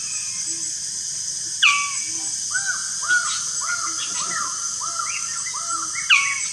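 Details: At the lek arena, a Magnificent bird-of-paradise gives a loud downward-sliding note, then a series of about nine rounded, harsh notes at a steady pace, closing with another loud falling note. A constant high insect hum runs throughout.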